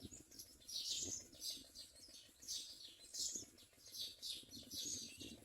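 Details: At the nest, common myna young repeat short, wheezy, high-pitched rasps every second or so in a regular, pulsing series, with faint low rustles in the background.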